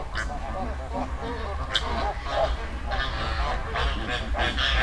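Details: Flamingo flock in a river in the Dominican Republic, wild. Dense overlapping nasal, goose-like honks and gabbling chatter from many birds, with a steady low rumble of water or wind beneath.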